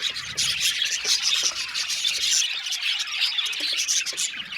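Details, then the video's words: Aviary budgerigar flock keeping up a bright, buzzy chattering chorus of overlapping chirps and warbles, steady and high-pitched. "Budgie amazing chirping sound | Budgies calling sound to make him happy"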